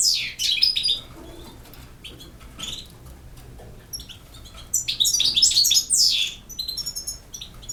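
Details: Campero song of a European goldfinch from Bosnia and Herzegovina, with scattered high chirps and short twitters early on, then a louder run of rapid tinkling phrases.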